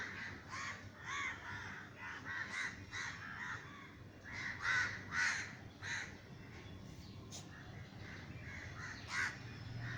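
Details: Many crows startled into flight over a garden in Sri Lanka after a neighbour's crow-scaring gunshot, giving harsh, overlapping caws in uneven bursts of two or three, about two calls a second, over low rumbling background noise.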